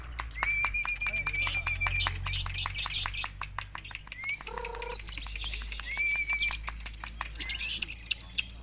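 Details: Contest lovebird from West Sumatra delivering bursts of shrill, fast chatter mixed with long, level whistled notes and short tonal pips, set against a low electrical hum and occasional human voices.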